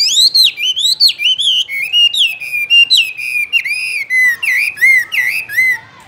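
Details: Chinese hwamei singing in a cage, a continuous stream of loud, varied whistled phrases, swooping up and down and warbling, with notes tumbling rapidly one after another for six seconds.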